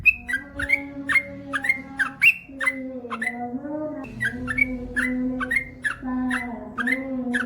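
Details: Male Yellow-vented Bulbul (trucukan) singing in the lively gacor style with long ropel phrases: a steady run of short whistled notes near the same pitch, several with quick upward slurs, about two per second, over a faint steady low hum.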